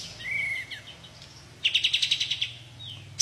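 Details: White-shouldered triller, kapas tembak, giving the burst of song called tembakan: a thin slurred whistle, then a fast run of about ten loud, evenly spaced chipping notes within a second, and a short downslurred note after; low steady hum beneath.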